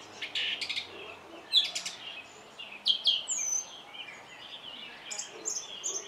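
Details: Song thrush singing sharp, high chirps and a thin whistled note, in uneven phrases with short gaps.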